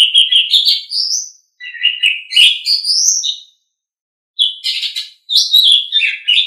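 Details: Asian pied starling singing for a songbird training recording: rising chirp runs, buzzy scratchy notes and sliding whistles in two bursts split by a short silence.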